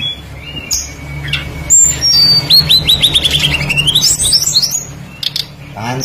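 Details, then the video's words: A tledekan, a blue flycatcher, sings as a lure to make other birds sing: scattered high whistles, then a long descending series of quick repeated notes that turns upward, over low hum. "PANCINGAN BURUNG TLEDEKAN PASTOL GACOR FULL ISIAN LANGSUNG IKUT BUNYI"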